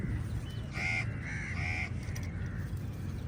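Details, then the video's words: A few harsh crow caws, three loud ones close together in the middle, among crows squabbling with eagles for a meal, with low background rumble throughout. "Lots of Crows fight with EagLes for meaL and Different Crow sounds"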